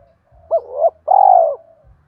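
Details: Spotted dove decoy bird singing in the thổ voice style, used to make wild doves call back: a brief hooted note followed by one longer, steady coo, with low background rumble.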